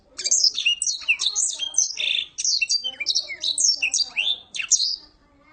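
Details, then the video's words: A collection blackthroat delivers "nggaruda" and "ngeroll" song. Energetic high warbling bursts of chirps, trills and falling whistles pour out in close succession, then fade to quiet at the end. "blackthroat bird nggaruda dan ngeroll"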